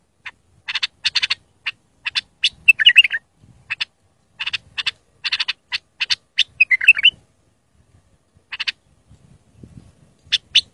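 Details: Pure bulbul singing for tutoring a young or silent bulbul: rapid series of crisp clicking notes broken by short warbling flourishes, with faint low rumbling behind.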